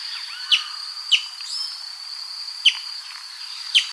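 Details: Sharp, falling single notes of a Brazilian tanager, four in under four seconds with irregular spacing, set against a continuous thin high hum and faint softer chirps.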